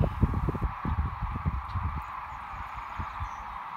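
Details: Large gathering of migrating sandhill cranes, Platte River, Nebraska, March 2017; overlapping calls blend into a constant mid-range chorus, with bursts of low wind noise in the first two seconds.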